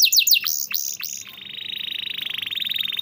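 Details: Canary song used as training material for canaries that sing little or are stuck: high whistled notes sliding downward in quick succession, then a long, fast, even trill held at one high pitch.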